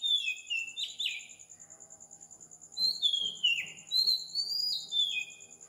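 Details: Morning song of an Oriental magpie-robin at 4 am in Sri Lanka, a tropical island: rich fluty slurred notes, a quiet gap, then long descending whistles, with a constant rapidly pulsing insect buzz behind.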